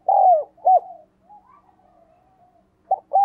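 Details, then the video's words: Spotted dove used as a decoy, calling to attract wild birds: two strong arched coos open, followed by quiet low murmuring notes, then another pair of loud coos to close. "Chim cu gáy - Chim Cu Mồi Thúc và Gáy Gọi Bổi"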